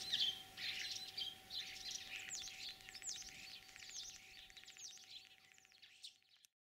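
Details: Starling song in Kalyazin district, Tver region, Russia, on 9 April 2023, an imitator of other birds' voices: a dense, continuous warbling chatter of scratchy and whistled notes that slowly fades out toward the end.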